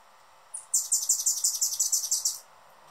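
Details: Noisy male Anna's hummingbird guarding his favorite feeder perch. A thin opening note leads into a long, steady chatter of about fifteen high, scratchy chips delivered quickly over nearly two seconds. There is little else in the background.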